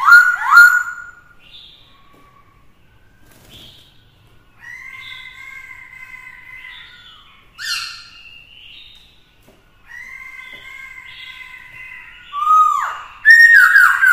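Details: Black-throated laughingthrush, a newly caught bird being trained to sing for fighting, with a female present; scattered loud whistled bursts separated by long soft sustained tones.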